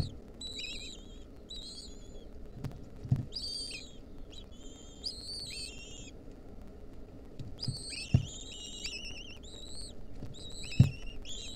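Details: Wild lesser kestrel nestlings receive a mouse from their mother, 2023; dense overlapping wavering whistles from several chicks, about two dozen bursts a minute, with occasional sharp knocks and a low hum.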